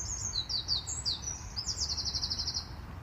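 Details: A Eurasian wren sits on a branch in a tree on Via Borghese, a park in Rome, and shouts its song at the observer. It sings a loud, very high run of quick sharp notes ending in a fast, rattling trill, over a low background rumble.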